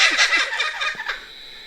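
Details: Many kookaburras calling from a tree at night cackle in a rapid, harsh chuckling run of repeated notes that tumble downward before fading out.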